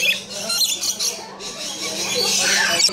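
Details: Captive rainbow lorikeets at a zoo: harsh, grating screeches and squawks overlapping almost continuously, with a steady low hum beneath.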